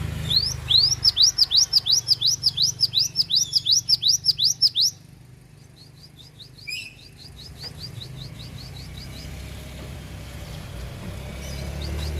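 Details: Cinereous tit recorded at Takengon in Central Aceh, Indonesia, giving a full song: some sixteen bright, high, rapidly repeated swooping notes over five seconds, a pause with one sharp note, then a softer, quicker trailing series against low hum.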